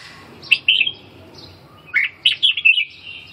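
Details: Red-whiskered bulbul with a short whistled phrase, a pause, then a lively string of chirpy, rippling notes, over faint low rumble.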